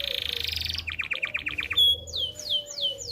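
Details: Canary, described as a very active, persistent singer used to tutor young birds and to bring females into breeding condition, delivers a buzzy trill, then a rapid run of repeated notes, then loud descending whistled sweeps.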